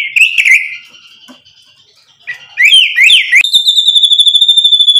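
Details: Shama lure song with mimicked isian: a warbled whistle fading away, quiet pause, then sharp falling slurs leading into a long steady whistle pulsed rapidly and evenly.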